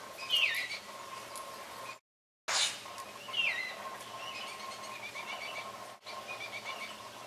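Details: Baltimore oriole fledglings high in the tallest trees, begging constantly while the male feeds them; slurred downward whistles alternate with a faint, steady run of repeated chattering notes over a continuous low mechanical hum, with a brief dropout midway.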